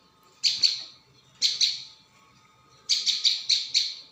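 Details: Prinia calling for a bird-luring recording: a couple of sharp high chips, another pair, then a faster run of six clipped notes.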